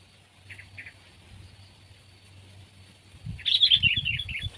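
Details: Sooty-headed bulbul, from a comparison of kept and wild birds: a few faint paired notes, then a sudden loud run of lively chirping near the end, mixed with low thumping knocks.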